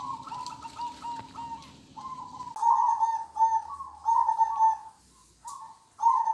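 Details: Local zebra dove singing in the 'kong' style: mellow, hollow coos held as drawn-out tones, broken by short pauses, with a low hum in the first seconds and a brief soft rustle later.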